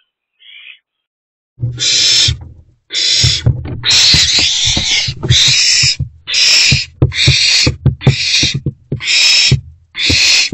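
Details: Three owlets inside a nest box on 13 April 2024: after one faint chirp, a run of loud, harsh, breathy screeches roughly once a second, with low knocks and scuffling from movement in the box.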